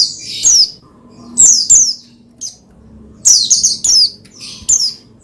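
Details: Oriental white-eye (pleci) chirping as a stimulus for other pleci to sing: clusters of high, slurred, falling notes, some paired in quick succession, with gaps of about a second.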